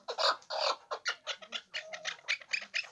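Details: Hybrid chukar partridge uttering a string of harsh, clipped call notes, the first two louder and broader, then quicker repeated chatters.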